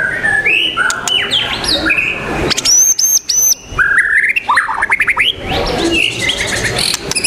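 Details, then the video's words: White-rumped shama, or murai batu, singing at a songbird competition on 12 December. A loud, varied song of whistled notes, sliding phrases and fast trilled runs, with sharp clicks and other birds calling densely behind. "lomba the legend murai batu nusantara"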